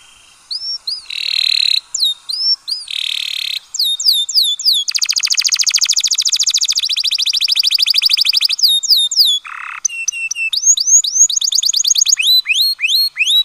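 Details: Canary singing in the breeding season to stimulate pairing: varied tours of rising whistles, short harsh buzzy notes, a long fast metallic trill and rapid repeated sweeps, with brief pauses between phrases.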